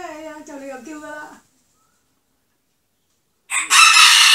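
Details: The tail of a rooster's crow: stacked, wavering harmonic tones that fall and break for over a second. Silence follows, then a sudden loud, hissing burst of noise.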